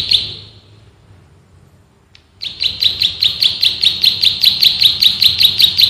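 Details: Male bar-winged prinia (prenjak sawah) in full ngebren style, used as a master recording for training birds: after a short pause, rapid high chirps are repeated about two and a half times a second, close-spaced and steady.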